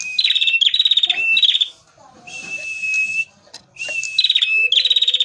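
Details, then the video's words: Lively male red prinia singing, recorded as lure material: repeated buzzy, rattling phrases opening with a whistled note, delivered in quick succession with one longer gap midway. "pancingan prenjak merah gacor jantan full materi"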